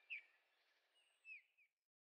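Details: Eurasian bullfinch recorded 15 August 2013 at Heringhausen, Sauerland, Germany: two faint, brief downslurred whistles about a second apart, then silence.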